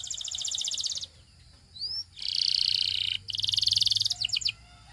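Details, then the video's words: Belgian canary song used to attract other canaries, heard as dense buzzy trills in three bursts separated by short pauses, with a single rising whistle between the first two and a few sharp chips at the end. "A Special Canary to Seduce All The Canaries - The Belgian Singing Canary"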